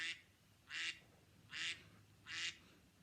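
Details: Duck, a bird of ponds and lakes, giving four loud, raspy, nasal quacks spaced about three quarters of a second apart over a low background hiss.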